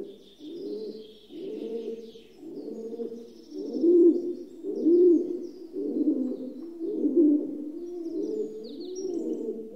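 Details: Rock dove cooing: a run of low, throaty, rolling coos, each lasting about a second and following one another almost without a break, with faint thin chirps from other small birds high above.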